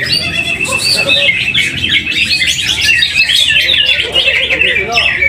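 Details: Caged greater green leafbird, first-place winner at a weekly practice contest in Mojokerto, pours out a continuous, fast run of high twittering and squeaky slurred notes, loud throughout, over a murmur of other contest birds and people talking.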